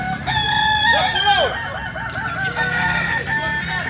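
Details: Kukuak Balenggek chickens of Solok, West Sumatra: a long crow ends in a steep falling sweep, then broken, stuttering crow fragments follow from overlapping birds, over a noisy background.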